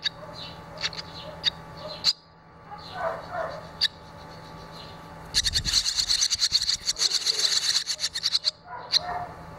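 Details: Fledging barn swallows, two young out of the nest and one returned after flying: scattered high chirps, then a dense three-second burst of rapid, rattling twitters before isolated chirps resume.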